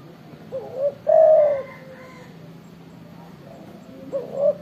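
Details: Loud-voiced spotted dove (tekukur) calling eagerly: one full phrase of two rising hoots and a drawn-out coo. The opening hoots of a second phrase follow after about three quiet seconds.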